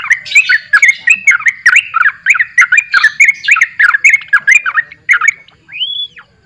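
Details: Sooty-headed bulbul in energetic song: dense, fast run of bubbly, slurred notes repeated roughly three per second at a steady mid pitch, closing with a single long arched whistle.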